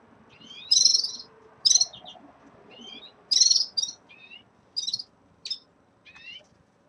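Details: Red-fronted serins in a cage, beginning their moult, call with a lively run of loud bright chirps mixed with short falling twittered notes, about eight bursts in seven seconds.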